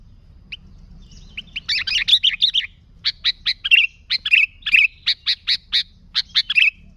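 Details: Sooty-headed bulbul singing vigorously, a recording meant for luring other bulbuls: an isolated note, then a dense run of bright chirps and slurred warbling notes, roughly three to four per second.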